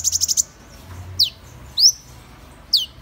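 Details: Van Hasselt's sunbird (Leptocoma brasiliana) singing: a quick buzzy run of five very high trilled notes, then three separate thin notes that slide steeply downward, spaced about half a second apart, over faint low hum.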